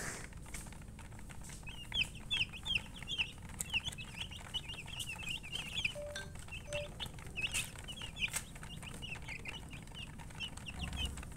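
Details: Domestic chicks peeping in rapid bursts of high, shrill, slightly falling notes, with short pauses between runs, a couple of brief lower tones, and a steady low background rumble.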